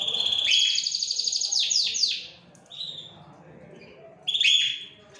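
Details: Caged canaries of the Larquet, Scotch Fancy, frosted and silver agate types sing a long bright high trill followed by rapid downward-sweeping chirps, then a quieter pause and another burst of whistled notes.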